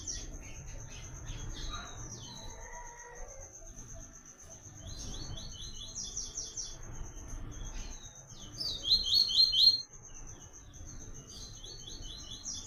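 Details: Double-collared seedeater, "Tui Tui" song style for song training: scattered phrases of quick, clipped high notes, peaking in a loud rapid burst near the end, over a continuous thin high whine and faint low background rumble.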